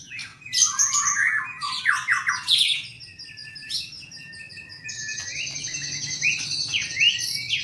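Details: Albino or blorok white-rumped shama kept in Indonesia, singing dense, fast chattering phrases with raspy, rattling notes, then a long high buzzing tone overlaid with short whistles.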